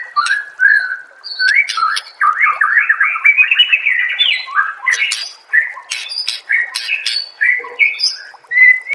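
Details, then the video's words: White-rumped shama master song used to get other shamas singing; varied fluty whistles and buzzy trilled runs, broken up by sharp clicking notes. "MASTERAN MURAI BATU PALING DI CARI TAHUN INI || SUARA JERNIH ,BURUNG PASTI NYAUT DAN GACOR SEKETIKA"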